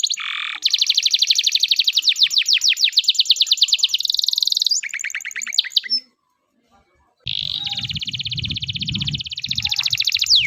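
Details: Canary in loper song style, a tutor for juvenile canaries still learning: long unbroken high rolling trills of fast repeated notes, changing tempo and tone, a brief silence, then a renewed sustained trill over a faint low rumble.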